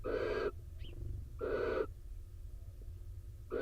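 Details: Rainy night at an Israeli barn owl nest box: the wet male has returned from his daytime roost to the incubating female. Rasping hissed screeches, each about half a second, repeat roughly every 1.5 seconds, with a faint chirp between.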